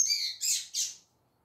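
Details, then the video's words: Female double-collared seedeater of the tui tui zel zel singing style giving three quick, harsh, high notes run together, the last fading out into quiet. "Fêmea De Coleiro Tui Tui Zel Zel Cantão Igual Esse Já Viu?"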